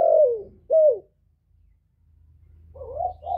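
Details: Male spotted dove calling to lure wild birds to the trap. Two clear falling coos open the recording. After a silent gap, softer wavering coos follow.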